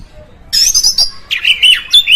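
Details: Brief oriental magpie-robin (kacer) phrase, a song aimed at provoking other magpie-robins: a sudden high, thin warble opening after half a second of quiet, then lower rising whistles repeated three times.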